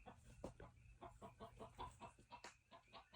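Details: Backyard chickens: a white chicken that had escaped returns and clucks with a black chicken in quick, short, throaty bursts, several notes per second, as they talk to each other, over a low background hum.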